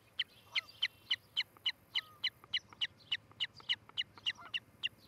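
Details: Osprey at a nest in Charlo, Montana, July 14, 2018, recorded on a nest camera around eight in the morning; a brisk, regular string of sharp, high, whistled piping notes with a few quieter chirps between.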